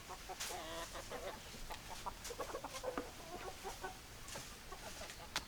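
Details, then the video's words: Hens clucking: short, repeated, broken clucks scattered through the recording, several birds overlapping against a steady background hiss. "Chicken Sounds Noises Hens Clucking Roosters Crowing"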